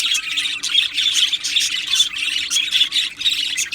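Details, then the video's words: Budgerigars, Australian parrots kept in an aviary colony, chirping together in a dense, continuous chatter of high warbles and squawks with brief pulses every half second; a faint steady low hum runs underneath. "Australian parrot Chirping Sounds | Australian Budgies Parrot Singing Video"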